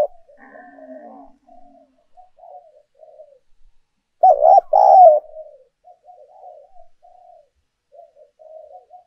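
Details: Decoy spotted dove cooing to stimulate other doves: soft, low murmured coos throughout, broken midway by a loud rolling phrase of several coos.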